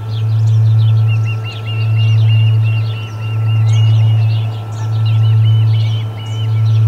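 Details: Osprey at the Charlo nest during the first food delivery of the day on 6 August 2020: a steady series of short high piping chirps, repeated continuously, under a loud constant low hum.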